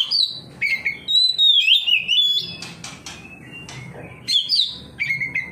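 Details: Oriental magpie-robin singing in reply to another magpie-robin: varied whistled phrases, slurred and warbled, interspersed with sharp clicks and short chips, then renewed bright whistles near the end.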